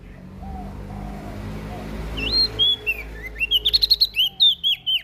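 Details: Singing prinia from Lombok, its lively song said to rile other birds. A few wavering whistles build into a fast run of sharp, high, rising-and-falling notes, with a low hum behind.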